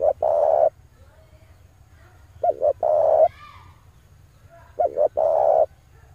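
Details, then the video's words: Male spotted dove calls for luring wild doves: three phrases about two and a half seconds apart, each two quick notes then a long steady coo, with a steady low-pitched hum underneath. "pancingan suara burung tekukur jantan"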